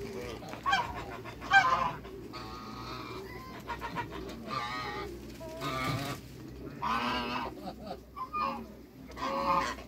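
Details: African and Toulouse geese, six birds meeting new geese, give harsh harmonic honks in separate bursts, some long and drawn out, with other fowl sounds murmuring in the background.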